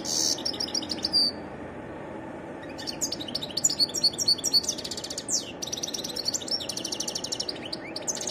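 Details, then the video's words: European goldfinch, wild, in varied song: a short high twitter, a pause of over a second, then a fast run of liquid chirps, buzzy notes and tinkling trills running to the end. "تغريد حسون متنوع"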